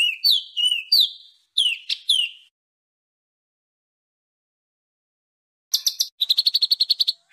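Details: Harsh songbird training track meant for home and contest birds: sweeping whistled notes, a pause of silence, then a fast run of sharp high chips.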